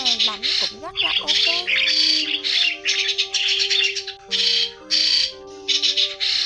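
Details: Trapping lure of migrating white-headed starlings: opening tangle of swooping nasal notes, then grating squawk bursts over long, level sustained tones.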